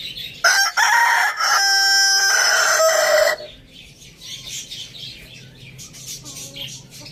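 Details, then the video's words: Farm rooster in a village crowing loudly for about three seconds, starting with rough broken notes, then a steady held tone and a drop at the close; afterwards quieter clucks and chatter continue. "Amazing rooster crowing sounds"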